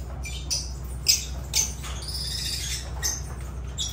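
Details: Sharp, high, raspy lovebird squawks, with the loudest notes early on and softer chatter after, accompanied by a faint steady low hum.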